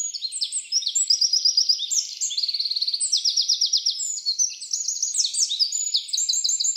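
A wren pours out a long, unbroken song of rapid, high trills and buzzy, chattering phrases that shift pitch every second or so.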